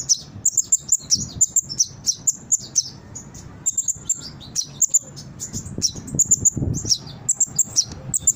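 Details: Brown-throated sunbird song used as a lure recording to train captive birds to respond and sing. Dense, high, sharp chirps and twittered phrases come in rapid bursts, with a faint low rumble beneath.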